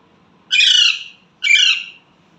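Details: Talking pet Indian ringneck parrot saying mummy, papa: two rough, buzzy, speech-like syllables about a second apart with little background sound.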